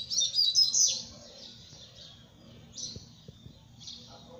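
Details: Double-collared seedeater singing: a loud, high, rapid twittering burst in the first second, then scattered thinner chirps spaced about every second over a low background hum.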